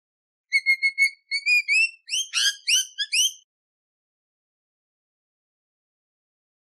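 A lorikeet gives a quick run of high whistled notes that turn into sharper, rising squeals.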